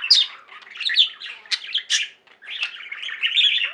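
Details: Budgerigar flock at home chirping and singing, a busy stream of squeaky notes and harsh squawks, falling briefly quiet before the warbling resumes.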